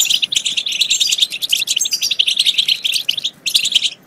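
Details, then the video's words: Stimulation song of the European goldfinch, meant to get goldfinches singing and mating: rapid, unbroken high twittering with tinkling notes, a short pause near the end, then more chatter. "بتبتات خرافية في تحفيز الحسون على التغريد"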